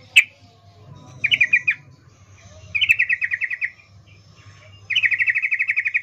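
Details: Female yellow-vented bulbul in breeding condition calling a male, the 'ngecuplik' call used as a lure; a sharp chip, then three chattering runs of rapid buzzy notes growing longer, the last over a second.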